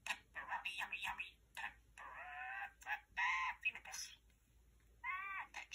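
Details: Male talking parakeet chatting to a lamp in a quiet room, in short, high, scratchy speech-like bursts mixed with warbled notes, pausing briefly between phrases as he repeats favourite phrases.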